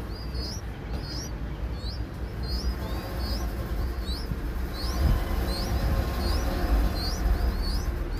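Young bulbuls give thin, high, upslurred chirps, repeated about twice a second, over steady low rumbling wind or handling noise.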